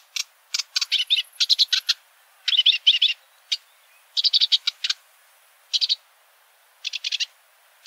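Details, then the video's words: Sedge warbler singing: bursts of rapid chattering, scratchy notes in short clusters separated by brief pauses, with single sharp ticks in between; quiet background. "Vogelstimmen: Der Schilfrohrsänger - Reed warbler - Acrocephalus schoenobaenus"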